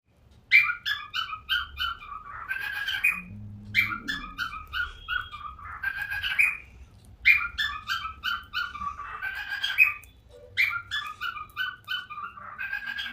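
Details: A lost budgerigar gives bursts of bright, chirping, harmonic calls, repeated in phrases every few seconds.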